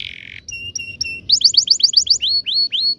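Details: Singing canary, rolling ngerol style meant for tutoring young birds: harsh buzzy note, three paired flat whistles, then a fast run of descending notes ending in slower upslurred whistles.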